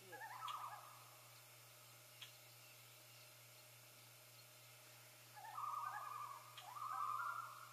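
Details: Common loons heralding the first chick's hatching: one short quavering burst, then a long quiet stretch with a single click, then two louder rapidly trembling phrases close together.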